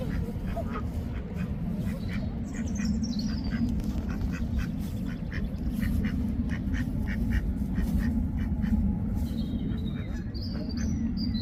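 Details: Wild duck quacking: a long run of harsh, nasal quacks repeated in quick succession over a steady low rumble, with faint high chirps from small birds near the start and end.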